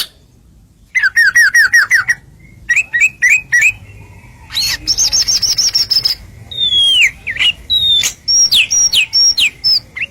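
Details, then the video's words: White-rumped shama masteran to provoke other birds: after a short quiet start, a rapid string of looping whistles, then short repeated notes, a high buzzy trill and several drawn-out falling and rising whistles. "MASTERAN JUARA BIKIN BURUNG IKUT HACOR"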